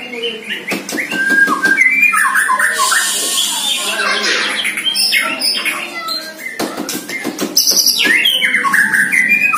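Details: Caged White-rumped shama, one year old, first sparring session with a neighbouring shama: loud varied whistles and chattering phrases answer each other, with sharp clicking bursts mixed in.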